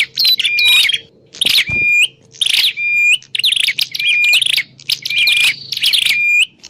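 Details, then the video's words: Prenjak klawu, a grey prinia, calling for bird-trapping lure use: loud scratchy bursts each closing in a short level whistle with an upturned tip, about six phrases in steady succession. "Suwara Burung Prenjak_klawu Buwat_Mikat"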